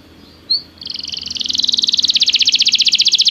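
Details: Canary of the Belgian breed heard in a training recording: one short high chip, then a soft trill that swells steadily louder into a fast, regular buzzy roll of repeated notes.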